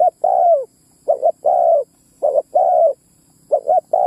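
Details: Spotted dove calling as a lure for male and female birds: three full low cooing phrases plus a partial one, each a short paired note leading into a long coo that slurs downward.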